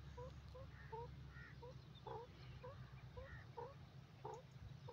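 Francolin giving short, soft chuckling notes, several each second with a slight upward inflection, over a steady low rumbling hum.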